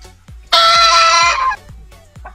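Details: A 5-month-old Silver Brakel rooster, crowing since 2 months old, lets out one loud, harsh crow held for about a second, over a soft, steady thumping beat of background music.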